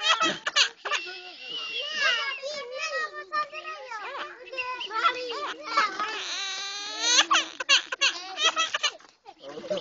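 A common myna chatters in a high, human-like voice, with run-together mimicked speech sounds that swoop up and down, broken by short squawks and clicks.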